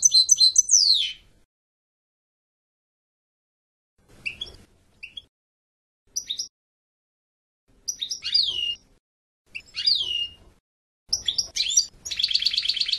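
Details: European goldfinch singing in separate bursts: high twittering phrases and descending slurred notes with pauses between them, ending in a dense, buzzy trill.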